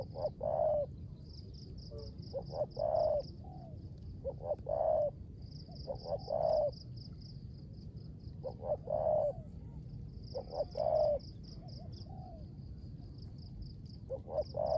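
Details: Caged decoy spotted dove cooing in the rain in the 'rước gù' style: groups of two short low coos followed by a longer, fuller coo, about every two seconds, over a steady rain rumble and a high pulsed buzzing.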